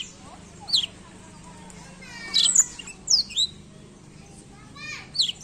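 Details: Black-throat singing in scattered short phrases: sharp high downslurred whistles and rapid trilled notes separated by pauses of about a second, over a quiet low hum.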